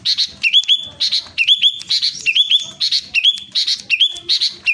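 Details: A sooty-headed bulbul in Klaten, Central Java, sings brisk, bubbly whistled phrases, about two per second, each ending in a steady clear note, with no other sounds.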